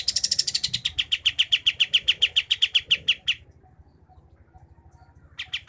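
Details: Sooty-headed bulbul recorded at Pangkalan Jambu, Merangin, Jambi, Sumatra, in a dense rolling song. A quick train of crisp high clicks runs about three seconds, then stops. Two more ticks follow after a short silence.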